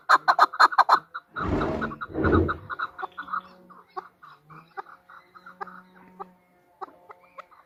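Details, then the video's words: A female chukar partridge gives a quick burst of sharp chucks. Two loud rushing noise bursts follow, then quieter scattered clucks with a low steady hum. "chukor|chowkor|chokor|female partridge is calling|female birds|مادی چکور کی آواز|مادی چکور کی بولی۔"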